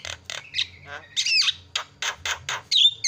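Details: Harsh rasping squawks from a Javan myna, played as a lure to make other birds call, repeated at uneven intervals with a brief whistled phrase mid-sequence and a sharp whistle at the close.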